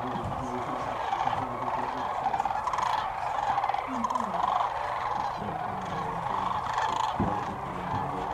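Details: Massed sandhill cranes on the Platte River, Nebraska, at dusk during spring migration, heard from a hidden blind south of Alda: endless overlapping trilled, rattling calls pulsing unevenly, with a sharp knock near the end and soft human voices underneath.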